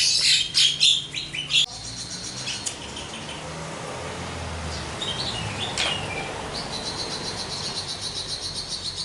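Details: Javan myna singing energetically with its full repertoire. Loud rapid chattering notes open the passage, then give way to softer scattered whistles and a faint, steady rhythmic ticking.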